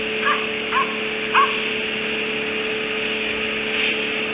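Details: Bald eagles at their nest on 26 January 2018, adults eating fish, giving each other affectionate nips and fluffing the nest; three short, rising chirps in the first second and a half, then only a steady electrical hum.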